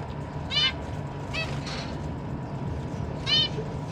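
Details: Zebra finch parents feeding their newly fledged babies in a cage; three short nasal, buzzy harmonic calls, well spaced, over a steady low hum.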